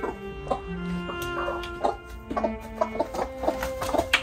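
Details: A broody hen, one of three broody at once, gives short, clipped "kokko" clucks in an uneven run, one or two a second, after returning from a walk, over steady background music.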